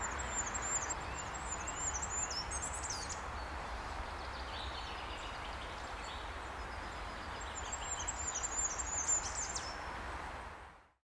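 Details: Two very high, thin Goldcrest (Regulus r. regulus) song phrases in Brussels, Belgium, March 2012, each a quick run of repeated needle-fine notes ending in a brief flourish, over a steady rushing background like wind or water.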